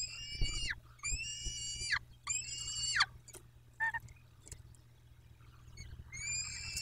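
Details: Peregrine falcons at the Dobra nest, 14 May 2021: three drawn-out, harsh, harmonic wails about a second apart, then a pause with soft knocks and one short call, and a final wail rising at the end.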